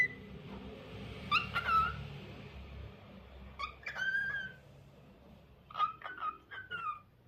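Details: Lutino cockatiel giving short harmonic chirps in three bursts, each a quick rising note followed by a clear descending whistle, over a low indoor hum.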